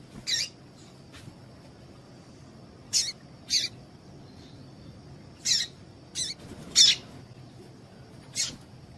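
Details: Female double-collared seedeater (coleiro tui tui) calling to excite a male into singing: short, sharp, high chips given singly or in pairs at irregular intervals over a faint low hum.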